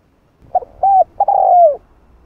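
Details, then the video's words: Spotted dove in the 'hạp bổi' voice style, played to get other doves cooing: a phrase of a short note, a rounded mid-length coo, then a brief note running into a long, smooth, falling coo. "Tiếng Cu Gáy Giọng Hạp Bổi 010 [ GỌI +THÚ ] Kích Bổi Nhanh Nổi"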